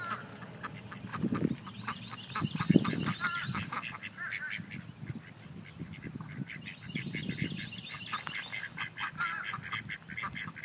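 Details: Mallard drakes fighting over a hen: harsh, uneven quacking and low grunting bursts, with a high twittering songbird trill and a background rumble.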